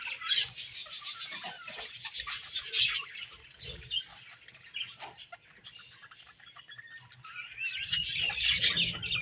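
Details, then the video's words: Budgerigars in breeding season chirp and twitter at a softer level in uneven bursts. A louder, denser flurry of chatter builds toward the end. "Budgies Breeding Season & Budgies Chirping Sounds"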